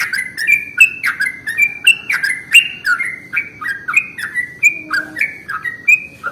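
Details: Sooty-headed bulbul song played as a lure to attract bulbuls: continuous, cheerful, bubbling whistled phrases, short notes with quick up-and-down slides, repeated briskly for six seconds.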